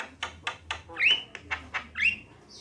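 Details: Javan myna singing, female and male: several dry clicks, then two bright rising whistled notes about a second apart.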